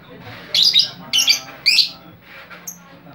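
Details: A chatty lovebird whose calls are said to lure other lovebirds, giving three harsh, high shrieking bursts in quick succession, then quieter chirps and a thin high note near the end.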